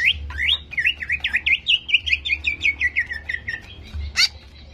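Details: Greater green leafbird song played to provoke aggression: a fast series of about twelve looping, upslurred whistled notes dropping gradually in pitch, ending with one sharp high chip, over a low hum.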